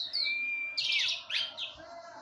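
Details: Orange-headed thrush on a porch, provoking other orange-headed thrushes: a brief phrase opening with a thin level whistle, then a burst of loud, harsh, twittering high notes.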